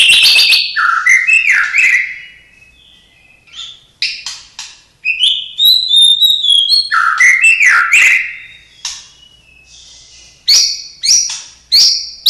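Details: White-rumped shama (murai batu) owned by the recorder, singing an 'isian' song filled with imitations of cililin, sparrow, lovebird and canary: varied loud whistles, slurred notes and short trills in bursts separated by brief pauses.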